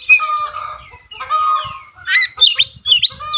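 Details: White-rumped shama singing with fanned tail, starting with drawn-out harsh nasal notes and ending with quick, sharp upward-flicking whistles, with soft low thuds beneath.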